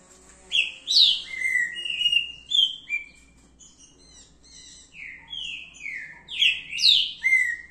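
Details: Green-winged saltator, called trinca-ferro verdadeiro, in full song: bright descending whistles strung together in rapid phrases, a short lull midway, then a lively, tightly packed run of sliding notes to the end.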